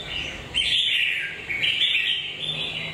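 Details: Red-whiskered bulbul song in two bright, bubbling whistled phrases, each a quick slurred warble that rises then falls, with soft hiss between.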